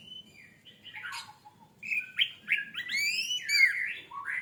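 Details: Orange-headed thrush song used as a lure to prompt other birds to sing: varied rich phrases of slurred whistles and sweeps, with some buzzy warbled notes and high overtones, growing louder after a quiet start.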